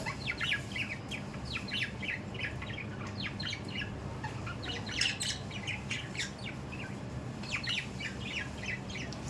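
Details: Pet budgies chattering busily, a dense stream of sharp high chirps and squawky notes throughout, with a constant low room hum beneath.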